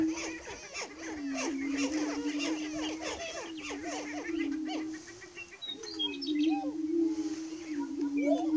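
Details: Dawn chorus of greater prairie chickens, 30 March 2018: a deep steady drone with a dense flurry of short, sweeping cackles early on, then quieter whoops and distant high chirps.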